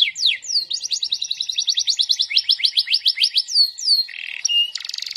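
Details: Canary singing non-stop with a lively swaying delivery and rich cengkok turns: sharp falling whistles lead into rapid, evenly pulsed trills, then a short buzzy note and a harsh rattling burst at the close.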